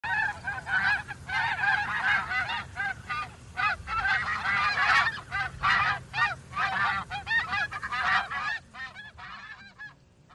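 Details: A flock of geese honking continuously, many overlapping nasal honks in dense bursts with brief lulls, fading somewhat toward the end.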